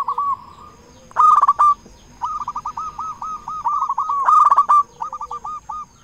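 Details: Local zebra dove in full song, meant to rouse quiet or stressed doves into singing: two loud rolling coo bursts framed by long runs of rapid, evenly spaced staccato coo notes.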